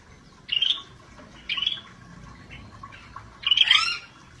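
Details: Cucak bersisik, the scaly-breasted bulbul, in full gacor voice: two short chattering whistled phrases a second apart, a softer note, then a louder burst ending in a harsh downward slur.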